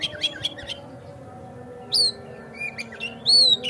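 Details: Kacer, the Oriental magpie-robin, sings as bait to get another bird singing hard and spreading its tail: a few scattered bright whistles, a long upslurred note and a drawn-out clear whistle near the end, with quiet gaps and faint hum.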